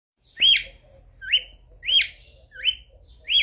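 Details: A male cockatiel sings to court a female: five sharp whistled notes, each rising then dipping, spaced about every seven-tenths of a second, with a faint low background hum.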